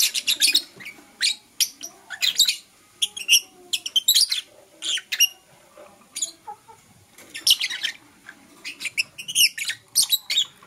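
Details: Blue Opaline and Parblue Euwing Opaline lovebirds chirping in the morning, a lively, continuous chatter of sharp, high, raspy chirps in rapid uneven bursts, sometimes doubled or tripled, with barely any pause over ten seconds.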